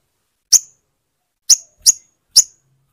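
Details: Crimson sunbird (sogon) notes used to prompt a silent caged bird into song: four sharp, very high, isolated chips separated by short pauses, on a silent background.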